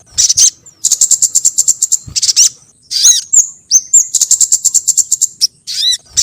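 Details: Luring call of the sogon bird: dense runs of rapid high-pitched ticking chips alternating with brief gaps and a few sharply falling whistled notes.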